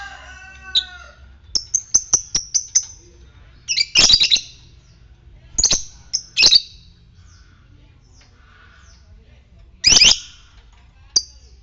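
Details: Fighter lovebird producing ngetik ticking calls meant to provoke other lovebirds into ngekek; a fast series of about eight crisp high ticks, followed by louder harsh screechy bursts repeated every couple of seconds.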